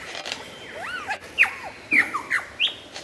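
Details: Lyrebird singing vigorously, a clear, loud recording: a run of varied slurred whistles, arching up and down, with sharp bright notes sliding downward in between, over a quiet background hiss.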